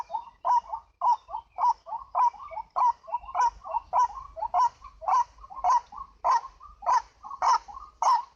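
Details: Lure recording of a white-breasted waterhen, known as ruak-ruak: a fast, even run of loud croaking notes alternates with quieter double clucks.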